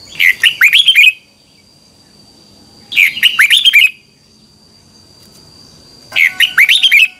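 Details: Morning training song of a red-whiskered bulbul, double-voiced twisting 'xoắn tít' style, meant as a lure song for training birds. Three quick, chattering, whistled phrases come roughly every three seconds, separated by quiet gaps.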